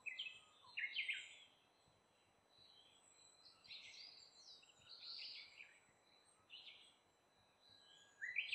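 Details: Shrill, scratchy calls from a brown-eared bulbul arriving to eat fruit come in bursts at the start, the middle and the end, with quieter chirping between and a high hiss throughout.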